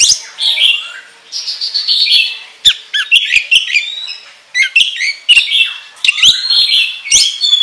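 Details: Kacer (oriental magpie-robin) in a fast ngobra song for training other birds: dense chattering warble of whistles, squeaks and buzzy notes, broken by sharp clicks and short pauses.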